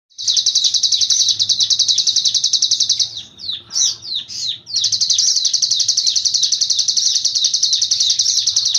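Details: A cigun sings in a loud, high, buzzy trill made of very fast, rapidly repeated notes. A short burst of varied chirps and twitters breaks the trill in the middle before the steady trilling resumes.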